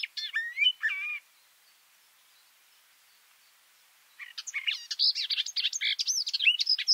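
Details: A garden warbler sings close to microphones set under its bush: a short phrase of slurred notes ends abruptly, then after a three-second gap a fast, loud, tumbling warble resumes.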